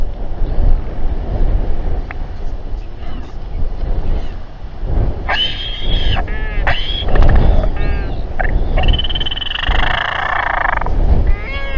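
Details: Royal albatrosses at a New Zealand nesting colony, 7:42 pm on 27 January 2021, during a tense gathering and fight near a nest with a chick, give loud wailing, whinnying calls and rapid rattling bursts, possibly including the winner's triumphant skycall, over heavy wind rumble.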